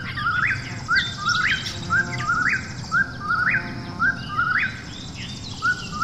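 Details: Repeated whistled phrases of an Eastern whip-poor-will after dark, each low-then-rising and spaced near one second apart, clear over a soft background hiss and faint distant birds.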